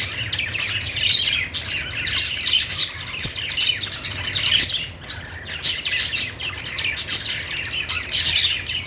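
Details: Budgies singing in bouts: gravelly chatter and piercing chirps in loud clusters separated by brief quieter gaps, with a low electrical-sounding hum below.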